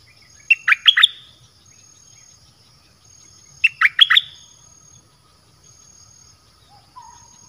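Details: Red-whiskered bulbul singing dok taeng style, recording meant to lure wild birds; two short phrases of four or five sharp, liquid notes each, about three seconds apart, with a faint low whistle near the end.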